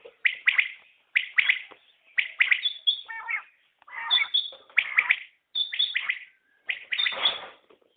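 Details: Batair, the common quail, giving repeated short bursts of sharp clipped notes about once a second, mixed with a few rougher chirps and scratchy sounds.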